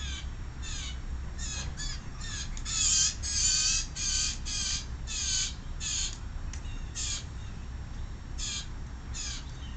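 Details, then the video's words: A very noisy young blue jay, proud of its peanut, gives loud, harsh, grating begging squawks repeated rapidly in uneven bursts, roughly one and a half per second, some run together in a rasping stretch. "A very noisy #baby #blue jay"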